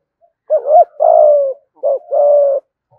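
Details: Close spotted dove used as a lure bird, 'thúc gù' cooing in the 'giọng thổ' style: a wavering double hoot then a sustained coo, repeated twice, deep and mellow.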